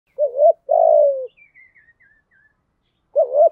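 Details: Spotted dove used as a decoy to lure wild doves in the rainy, windy season, in the voice style called thổ sấm: a short two-part coo, a longer falling coo, then a fresh short coo; faint high chirps between.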